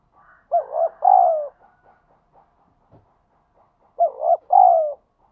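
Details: Wild spotted dove cooing in 'thúc gù' style: two strong phrases, each a wavering short coo and a longer falling one, separated by faint low murmurs and a soft thump.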